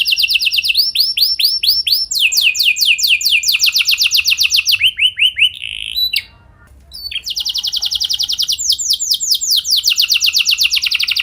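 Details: Canary (Serinus canaria) lure song to prompt other canaries to sing: long, fast rolling trills of high, sweet repeated notes, shifting from tour to tour, with a brief pause midway.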